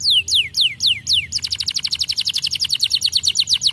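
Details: Canary back in full song: four loud descending whistles spaced evenly, followed by a rapid rolling trill of short repeated notes for over two seconds.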